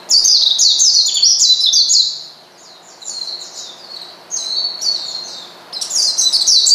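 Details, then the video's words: Oriental white-eye calling out to a rival to provoke it: bursts of rapid, very high, thin twittering notes sliding up and down, loud for about two seconds, then softer phrases and a final loud burst. "pleci manggil lawan bikin lawan emosi dan edan"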